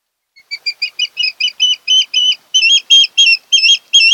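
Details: Osprey at its nest on Kent Island, Maryland, in late August: a long run of piercing whistled chirps that builds from soft to loud, the notes lengthening as the series goes on.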